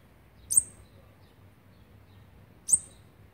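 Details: Olive-backed Sunbird chicks being fed on the twelfth day of feeding, 29 September 2019: two short, very high, sharp squeaky chirps about two seconds apart over a low background hum.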